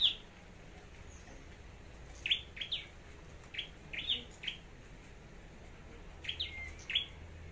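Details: A scarlet-backed flowerpecker, a contest singer kept as a decoy bird, at Long Thành, gives sharp, high, clicking chips, singly and in quick pairs, over a steady low background hiss.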